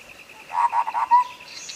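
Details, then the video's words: Sooty-headed bulbul phrase from a tutor recording that coaxes a bird to sing: a quick run of three or four gurgled notes ending in a smooth sustained whistle, with a pulsing high-pitched drone in the background. "masteran cak kopi suara jernih untuk pancingan macet bunyi"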